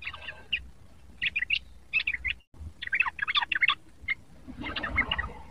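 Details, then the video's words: Sooty-headed bulbul, a young bird learning to sing, gives clusters of chattery warbled notes separated by short pauses, ending in a denser, rougher burst. "burung trucuk muda belajar bunyi"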